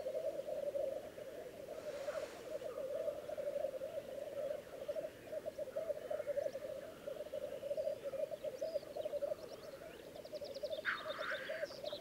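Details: On a Läänemaa lek in Estonia, 19 April 2011, displaying black grouse bubble continuously in a low, throbbing murmur, with a loud hissing burst near the end and distant small-bird twitters.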